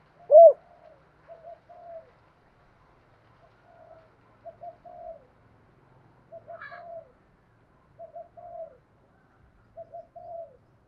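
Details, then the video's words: Spotted dove, thổ pha voice style, one loud coo then a series of soft, distant paired cooing notes repeated about every second. "cu gáy giọng thổ pha"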